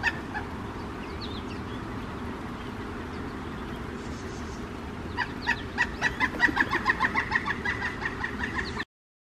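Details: A male Pileated Woodpecker arriving at a suet feeder by a kitchen window, announcing itself with a loud, rapid series of ringing kuk notes lasting about four seconds, over a steady low rumble.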